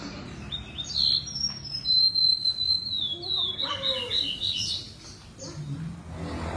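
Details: Javan bush lark singing vigorously: a long high whistled note held steady and then falling slightly, followed by short chirps and a lower warble, with faint low background noise.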